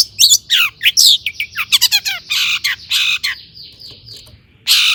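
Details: Long-tailed shrike singing harshly with mimicked notes, played to make other shrikes sing: screechy downslurred squawks, a fast stuttered phrase, long grating buzzes, a faint thin whistle, a final screech.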